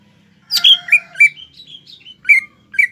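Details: Cucak ijo, or greater green leafbird, in a mbeset song aimed at rivals: a harsh rasping note followed by sweet downslurred whistles and short rising phrases, with a soft low hum in the background.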